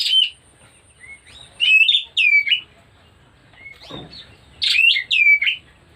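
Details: Oriental magpie-robin showing signs of breeding condition gives bright whistled song phrases in two clusters, each a quick run of sharp, slurred notes after a quiet lead-in whistle, with silent gaps of about two seconds between bursts.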